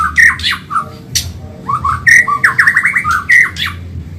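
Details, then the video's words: Medan white-rumped shama singing a fast training song for caged birds: quick, choppy whistled notes and bursts of high harsh chips, becoming a rapid series of rolling whistles toward the end. "Masteran burung murai Medan super cepat gacor"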